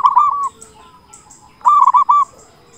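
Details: Zebra dove of a local strain, a loud, eager singer used to provoke other doves: two short phrases of clipped, rolling cooing notes separated by a quiet gap with faint high chirps.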